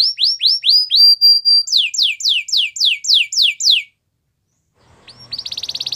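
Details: Belgian canary, white, singing in the wild: a series of upslurred whistles gives way to sharp descending swoops repeated about four per second, then a brief pause before a fast high trill starts.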